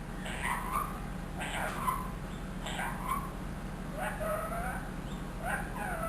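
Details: Trained one-year-old ringneck parrot repeating learned words; five short, wavering harmonic utterances spaced roughly a second apart, each sliding in pitch like a spoken phrase, against a constant low hum.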